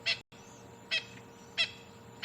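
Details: A francolin chirps, most likely in alarm, during a sunset drive on 28 April 2020 at Djuma, Sabi Sand, while a drongo mobs a predator: short, harsh, grating chirps about every three-quarters of a second over a faint hum.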